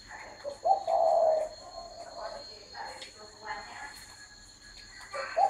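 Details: Spotted dove giving one low, hoarse three-part coo near the start and another beginning at the end, with human speech and soft chirps between and a steady high tone throughout.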